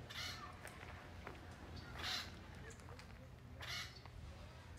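Acorn woodpecker giving three harsh, raspy calls about every two seconds, over a steady low rumble and faint background noise.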